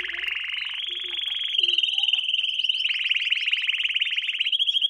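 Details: Canary singing as a training lesson for young birds: a sustained clear rolling trill near one pitch, thickening into a rapid buzzy tour, with faint high overtones above.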